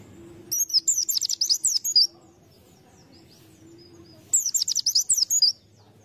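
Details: White-eye kept as a lure bird delivering two long, fast chattering phrases of high, twittering whistled notes, each lasting over a second, with a quiet pause between.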